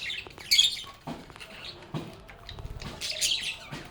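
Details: Pet lovebirds chattering and playing: scattered sharp high chirps, short squawks and a few lower rasping notes overlap in an uneven, lively stream from several birds.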